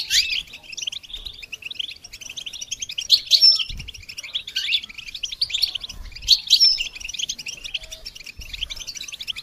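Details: Goldfinch song for training songbirds: continuous high, scratchy twitter with upward-swept notes and sharp whistled accents recurring every few seconds.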